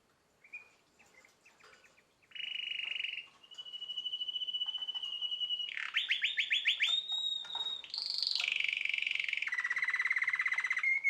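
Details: Nine-month-old canary singing: a few soft notes, then a long loud sustained whistle, a fast stuttering roll, a high buzzy burst and a rapid lower trill, all rich and continuous.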